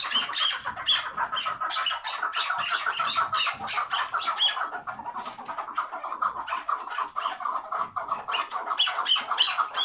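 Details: Chukar partridge kept tethered, calling in the hıngırma style with a fast, steady stream of raspy clucking notes, more than three a second, holding an even level throughout.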